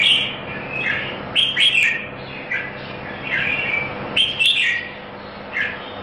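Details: Red-whiskered bulbul singing in a Singapore singing contest: clear, cheerful whistled phrases with abrupt sweeping notes, in irregular bursts separated by brief gaps, over a faint steady hum.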